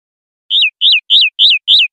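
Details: Linnet, 'pardillo limpio' silvestrismo song from a 2025/2026 recording: five clear, identical high notes, each rising then dropping in a quick slur, evenly spaced about three per second after a short silence.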